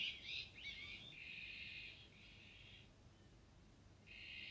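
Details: Iberian magpie, the azure-winged magpie, starting with a burst of rough chattering notes, then giving steady raspy buzzing calls separated by short pauses. There is a faint low background rumble.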